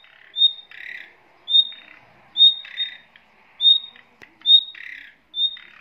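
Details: Female and male nightingale kept in a cage with their young: a steady series of high pure whistled notes, each followed by a harsh buzzy rasp, repeated roughly once a second.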